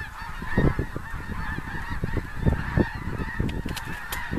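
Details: More than 10000 snow geese gathered by a big lake, a dense continuous chorus of nasal yelping honks layered together without pause, over heavy low thudding rumble and a few sharp clicks near the end.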